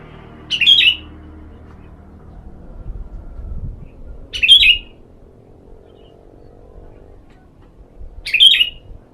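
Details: Sooty-headed bulbul played as a lure, its song in a sunning setting: three short bright chirped phrases spaced about four seconds apart, with low rumbling background noise between them.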